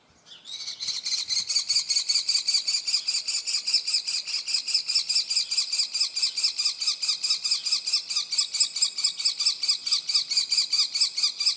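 A young common kestrel gives a harsh, high, rapidly repeated begging trill that runs on without pause; nothing else stands out.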